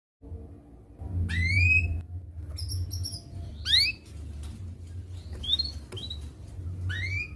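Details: Canary song played to tutor young canaries learning to sing: scattered bright upward-sweeping chirps at irregular intervals over a steady low hum.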